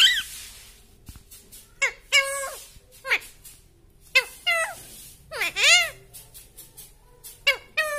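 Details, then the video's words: Pet talking parrot repeating short, shrill, squeaky notes, some with arched rising-then-falling shapes, spaced about a second apart against a quiet indoor background. "Talking parrot sweet voice"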